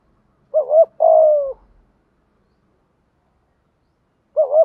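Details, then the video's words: Spotted dove cooing as a lure recording to stir wild doves into calling. A quick wavering double note leads into a long falling coo, and another double note begins after a three-second gap. "chim cu gay thuc gu, chim cu gáy bài bản giúp bổi nghe gáy theo và rất nhanh nổi"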